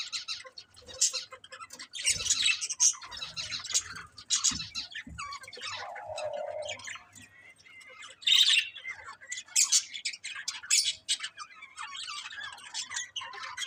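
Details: Budgerigars keep up continuous chirping and chattering, with scratchy high notes, brief squawks and warbled phrases overlapping throughout, plus a short lower buzzy note near the middle.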